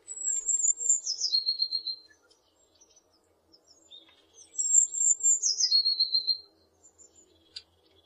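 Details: Two blue tit phrases a few seconds apart, each a high, thin note falling into a fast, even trill, with a faint low hum and a brief click between.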